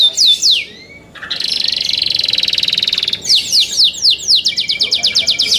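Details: Young canaries singing in captivity: loud high phrases of downward-sweeping whistled notes, a long buzzy rapid trill, then fast repeated descending chirps, all high-pitched and bright.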